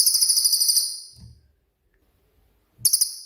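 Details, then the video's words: Cililin giving its sharp 'tembakan' burst, used as master song for training songbirds: a rapid, very high buzzy trill of fast even pulses for under a second, then low knocks and quiet, then the trill starts again. "BURUNG CILILIN COCOK UNTUK MASTERAN"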